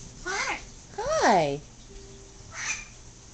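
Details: Newly adopted yellow-naped amazon talking a little to its owner indoors: two loud arching, harmonic vocal phrases rising then falling, a softer third utterance near the end, with a person's voice saying hello and faint background music.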